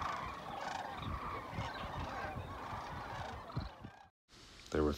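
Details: Thousands of wintering Sandhill Cranes at Whitewater Draw, southeast Arizona, January, standing in water along the shore: a dense chorus of rolling, trumpeting rattles merging into a steady roar, a brief pause, then one louder nearby call.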